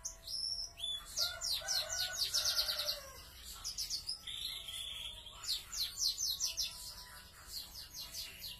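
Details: Kept canaries of YS FOI and F1 YS lines singing, noted for large bodies: rapid buzzy trills and high chattering phrases in dense bursts, with a short steady whistled note midway.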